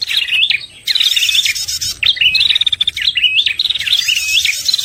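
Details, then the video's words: {'t': 'Prinia lure sound, red-headed type, for trapping: energetic high twittering phrases with rising zigzag notes, each phrase about a second long with short breaks.'} "suara pikat prenjak paling ampuh"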